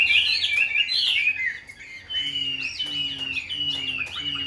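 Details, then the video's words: Tame, hand-carried caged Chinese hwamei singing loud, varied whistled phrases with sweeping slurs, then a sustained high wavering strand of notes; faint low hum underneath. "Chim thuần sách tay hót, đấu tốt - Hoạt Họa Mi"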